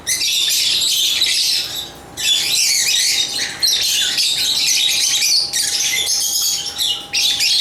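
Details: Agapornis lovebirds chatter in long, unbroken runs of harsh, high-pitched squawking chirps, with one short lull near the two-second mark and a faint steady electrical hum underneath.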